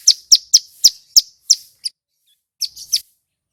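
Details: Male Bar-winged prinia singing loudly and clearly to draw responses from untrained wild-caught birds: a quick series of piercing high chirps about three per second, then a short squeaky burst.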